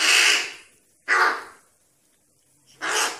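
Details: A hungry young crow that fell from its nest and is being hand-fed gives harsh, hoarse caws, three loud calls spaced about one and a half seconds apart.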